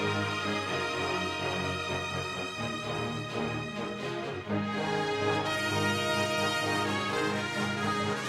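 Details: Dense orchestral theme music with layered sustained chords throughout; no animal sounds present.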